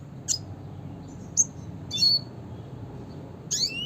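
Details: Red siskin with the classic call: a few short bright chips, a clear buzzy whistled note near the middle, and a final chip running into a rising buzzy sweep.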